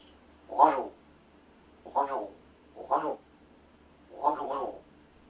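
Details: Rescued large-billed crow, kept in a home, works on its voice while its owner pretends to sleep, giving four coarse caws roughly a second apart, the last one doubled, over low background hum.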